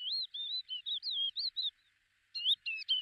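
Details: High chirping notes from a lesser short-toed lark at Belchite, Zaragoza, Spain, July 2019: a quick chain of rolling, wavering whistles, a short gap, then sharper clipped chirps.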